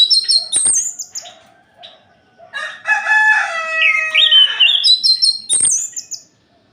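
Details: Orange-headed thrush at night, singing to provoke other males: sharp high whistled notes with clicks open and close a rich, harmonic rising phrase in the middle.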